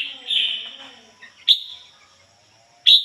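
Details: Captive red-whiskered bulbul kept as a decoy bird, singing in the 'ngoi bổi' style: two short, sharp whistled notes near the end, over a long smeared tonal hum and faint background noise.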